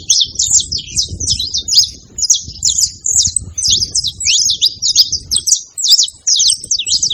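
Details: Saffron finches, a male and a female, calling together in short bursts of sharp, high, downslurred chirps separated by brief gaps, with low rumbling noise below.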